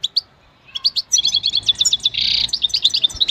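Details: Goldfinch singing, recorded for song training: after a short pause, a quick string of high twittering notes with a brief buzzy rasp in the middle, continuing in bright chattering phrases.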